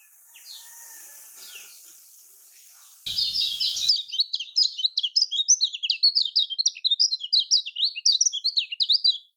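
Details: Kecial kuning lure song in Lombok style: after a soft, hissy start, a dense run of quick, high, zigzagging chirps repeats rapidly for several seconds.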